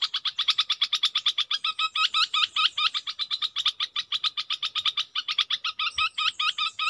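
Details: A decoy Red-whiskered bulbul keeps up a long, rhythmic volley of sharp chirps, shifting between straight rapid notes and curled doubled phrases. A faint high note and a soft knock are heard near the end.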